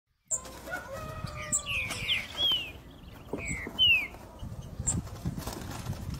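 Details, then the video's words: Green-winged saltator, a caged bird, singing: a few clear whistled notes, some slurred downward and some rising, in short phrases over about six seconds, with faint chirps and rustling in the background. "TRINCA-FERRO 3 NOTA BOI"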